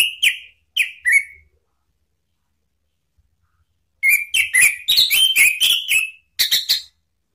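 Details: Orange-headed thrush, a provoking recording meant to stir rival birds into singing, with bursts of loud whistled notes near the mid-high range, a short trio of phrases then a longer run of rapid varied whistles and trills after a pause.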